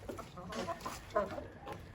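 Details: Young Brahma chickens cluck in low, short bursts, several soft notes scattered over two seconds with one louder cluck near the end; faint background murmur.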